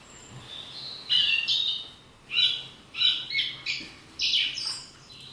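Song Thrush singing loud, clear whistled and chirpy phrases in short bursts, each phrase repeated two or three times before switching.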